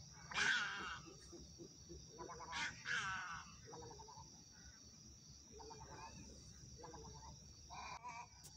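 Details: Little egret calls: two loud bursts of harsh, raspy croaking near the start, then softer scratchy notes scattered through the rest, over a steady high insect-like hum.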